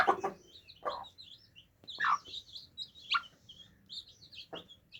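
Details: Baby chicks drinking water give high, thin peeps in loose bursts. Occasional louder cheeps and soft taps from pecking at the water are also heard.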